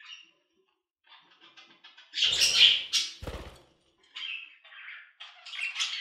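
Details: Budgerigar chatter: soft scattered chirps, then a loud harsh burst of squawks with low thumping, followed by quieter warbled phrases.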